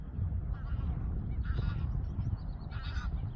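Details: Male Garganey at Waterrijk-west on 30 April, giving short dry crackling rattles, two bursts about a second apart, over a heavy low rumble of wind noise with faint chirps from other birds.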